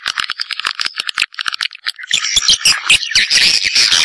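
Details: Swiftlets, Sp M567 recording, with rattling rapid clicks at first, then building into a dense, shrill twittering chorus.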